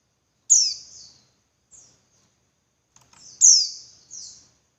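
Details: Female white-eye calling, used as a lure to spur males into more persistent singing: two loud, sharp, high descending chirps about three seconds apart, each trailed by a softer buzzy tail, with faint chirps between.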